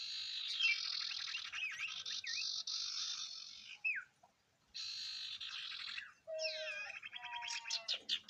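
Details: Singing sirtu, a lure recording meant to set other birds off singing: long dense buzzy trills broken by short whistled upslurs and downslurs, a brief silence, then another trill ending in a varied run of sweeping whistles.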